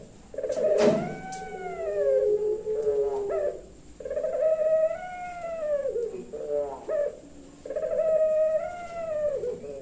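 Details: Puter pelung turtle dove kept by a breeder in Kebumen, Central Java, in 'nembak' style: three long, resonant, harmonic coos about four seconds apart, each swelling and gently falling, with a brief knock near the start.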